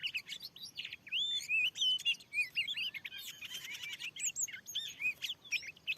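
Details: Wild Oriental magpie-robin reacting fiercely to a lure in freshly cleared fields. Fast run of bright whistles, buzzy trills and sharp chirps, roughly three notes per second, with soft background hiss.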